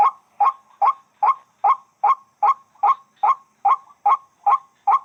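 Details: Wak-wak bird, or white-breasted waterhen, delivering a dozen loud, clipped, rasping croaks at a fast even pace of about two and a half per second, no other sounds.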